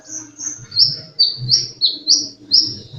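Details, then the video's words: An actively singing sunbird repeats high, thin whistled notes, each dipping or sliding slightly, about every half second, with a faint low hum beneath. "Burung kolibri gacor"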